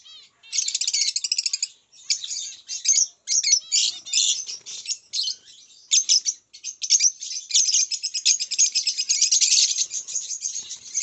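Zebra finch song: rapid, buzzy, nasal notes and harsh rattles strung together almost without pause, high-pitched and repeated in dense bursts.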